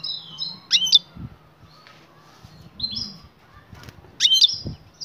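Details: Female European goldfinch in breeding condition calling a male to mate, a call style known as batbata. Short buzzy high notes alternate with sharp, piercing chirps in two bursts, separated by quiet gaps with faint low rustling.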